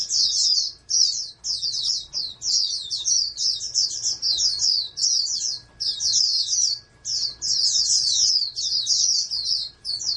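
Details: High, sibilant chattering song of a captive-bred oriental white-eye kept as a prospective national champion, delivered in quick repeated phrases separated by short breaks, with a low constant hum in the background.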